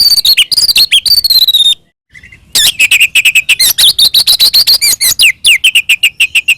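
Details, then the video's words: Oriental magpie-robin giving an energetic ngeplong fighting song to stir rival magpie-robins: high whistled phrases, a short pause, then a long rapid series of clipped, repeated chattering notes. "SUARA BURUNG kacer gacor NGEPLONG TARUNG ini paling AMPUH buat PANCINGAN KACER agar EMOSI NYAUT"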